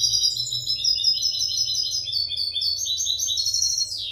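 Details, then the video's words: Song of a European goldfinch, played for tutoring caged goldfinches to sing cleanly: a continuous fast high twitter of liquid, chattering notes for four seconds, ending in a quick downward slur, with a faint low hum beneath. "audio pará educar a los jilgueros sin errores |كيفية تعليم طيور الحسون نظيفة بدون عيوب"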